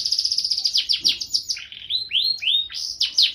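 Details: Gacor canary song with showy cengkok: a fast run of descending sweeps, then lower rolling notes and a few separate rising whistled slurs, bright and steady with no other sounds.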